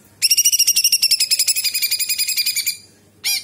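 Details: Cucak cungkok bulbul singing actively, mixing in imitations of other birds and insects. A rapid, sharp, ringing trill of evenly spaced pulsing notes lasting about two and a half seconds, followed by a brief burst.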